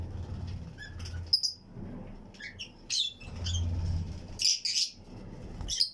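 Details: Lovebird colony of Fischer's and Lutino birds in an aviary flight cage: sparse high-pitched squeaky chirps, a few louder paired notes later, with a low droning background between calls.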